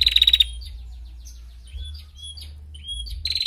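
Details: Female prinia, a tutor recording for training other songbirds, giving a rapid dense buzzing trill at the start, scattered thin high whistled notes after it, then a new trill beginning at the end, over a low steady hum.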